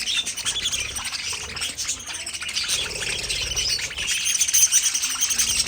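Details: Pet parakeets, budgerigars in an aviary colony, produce rapid squawky chirps and warbling chatter, several birds overlapping, with a bright whistled note near the end.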